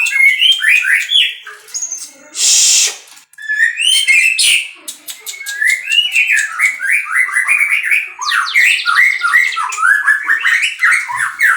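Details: White-rumped shama from a breeding setup in full, rich song: loud varied whistles, chattering trills and dense clicks, with one short burst of hissing noise early on.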